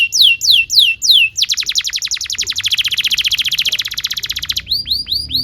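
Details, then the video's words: Canary song meant for training young canaries: a few high descending whistles, then a long rapid trill of sweeping notes lasting about three seconds, ending with quick upward-curving chips. "PANCINGAN KENARI GACOR DURASI PANJANG UNTUK MASTERAN KENARI PAUD BELAJAR BUNYI DAN GACOR"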